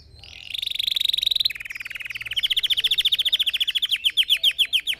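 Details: Red factor canary song for training other birds to sing, starting with a buzzy held trill, dropping to a lower rolling trill, then rising into fast, distinct repeated chips.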